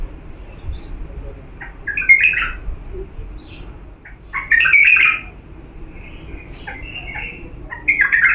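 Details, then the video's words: Diyala bulbul singing a pure song meant for training chicks: bubbly, chattering phrases broken up by short whistled notes, with a steady low background hum throughout. "تغريد بلبل ديالى الاصيل لتخريج الافراخ"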